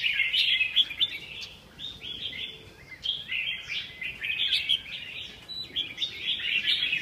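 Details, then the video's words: Red-whiskered bulbul giving lively, repeated warbled phrases, cheerful liquid notes in clusters about every second or so over seven seconds, with slight variation between phrases and little other sound around. "Chào mào"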